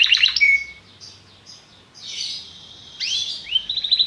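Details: Belgian canary popular song heard in broken, softer fragments: short trilled bits and a flat whistle, hissy phrases, then rising notes leading into a quick trill, with faint background hiss.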